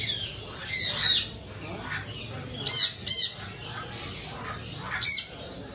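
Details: Pet parrot giving sharp, harsh squawks in short bursts, roughly every two seconds, each burst a raspy high screech over a steady low background hum.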